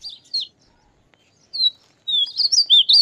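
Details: Painted bunting giving high, thin slurred notes, scattered at first and then a quick warbled run at the end, with a quiet background.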